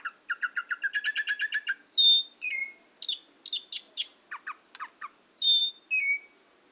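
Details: Oriental magpie-robin from Kebumen: a rapid series of a dozen paired chirps, then loud descending whistles, clipped buzzy notes and another sliding whistle, delivered clearly against silence.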